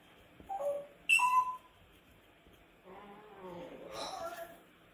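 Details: Pet Grey parrot that the owner says is screaming: a few short clear whistled notes, one swooping downward, then a louder high whistle, followed by softer rough warbling over quiet background hiss.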